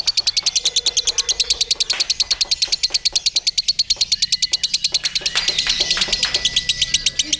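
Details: Lovebird hung on a pole (gantang) with a contest handler, delivering ngekek: a long, unbroken, rapid chatter of high, dry clicking notes pulsing several times a second, with faint low voices beneath.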